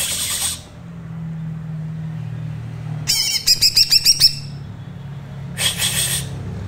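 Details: Thin trotol song of a green leafbird, meant as a learning model for other birds: wing-flutter rustles, then a rapid run of about seven bright high notes, and another rustling burst.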